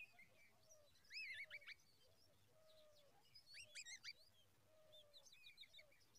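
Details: Babbler chicks begging for more food: clusters of shrill, squeaky chirps in bursts, over a lower repeated mewing note from another bird in the background.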